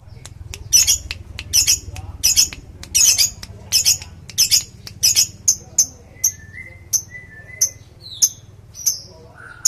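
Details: Lovebird giving a long 'ngekek' trill used as a lure. Harsh, high chirps repeat about twice a second for six seconds, then thin out into sparser, thinner notes with a few short whistles, over a low steady hum.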